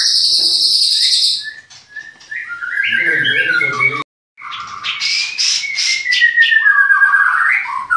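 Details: Captive white-rumped shama in Klaten: a high buzzy burst, descending harsh phrases, a brief break, then rapid chattering notes over a long falling whistle.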